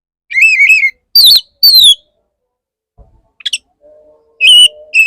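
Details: Male Oriental magpie-robin serenading a female: a warbled whistled trill, then two loud falling whistles, a quiet gap with a faint low hum, and final steady whistled notes.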